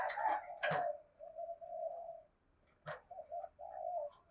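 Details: Spotted dove decoy, 'giọng thổ' voice, calling through its thúc, gù and gáy phrases: low rolling coos interrupted by sharp knocking bursts, then short separate coo notes and a longer final coo.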